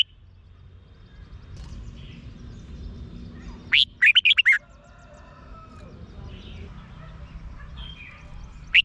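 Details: Red-whiskered bulbul from Thailand singing, a recording played to excite caged birds. One rapid burst of five rich, warbled whistles, then a lone sharp note at the end. Soft distant bird chatter and low hum underneath.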